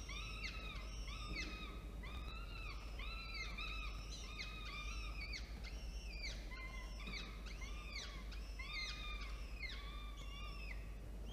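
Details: Falcon calls at a nest during a feeding on 13 October 2022 at 1:54 p.m., after one adult brought prey; two chicks present, hatched 1 and 5 October. Rapid series of harsh, harmonic, slightly arched notes repeated densely throughout, over a steady low hum.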